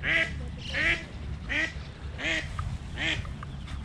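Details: Eastern spot-billed duck with ducklings moving in early morning, two little ones attacked by a cat; five loud, harsh, downward-sliding quacks at an even pace, roughly every three quarters of a second.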